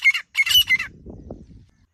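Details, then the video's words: A grey francolin (desi teetar), used as a hunting call, gives three harsh, high squawking notes in quick succession, followed by a low rumbling background. "Desi Teetar Calling | Grey Francolin Hunting Voice"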